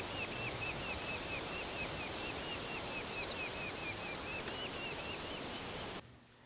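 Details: Red-naped Sapsucker nestlings in a cavity nest in a quaking aspen keep up a steady chorus of short, high, chirring begging calls for food from their parents, about two a second, over a constant background hiss.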